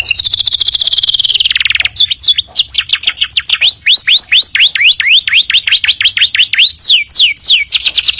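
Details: Canary tutor song for training birds: a dense buzzy trill lasting two seconds, then high chips and a long run of rising hooked whistles, ending in falling slurs.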